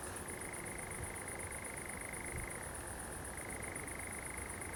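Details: Nocturnal churring of a common nightjar in pine woodland at Zamudio, Bizkaia, 7 July 2020: a long dry rattling trill that drops briefly in pitch midway and then climbs back, under a steady shrill hiss.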